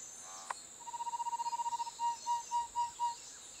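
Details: Niceforo's wren, a critically endangered Colombian endemic of xerophytic dry forest and living fences around Soatá, gives a fast run of pure, low whistled notes that slows into a few longer, fuller whistles, over a steady high insect hiss.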